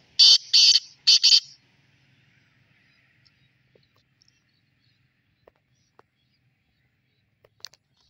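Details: Black francolin giving a quick run of three harsh, scratchy bursts in the first second and a half, followed by near silence with a few faint clicks.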